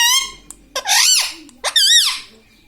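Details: A pet parrot indoors imitating spoken words such as mummy; two loud, hoarse, arching syllables follow a thin whistled note, sounding like a nasal human voice.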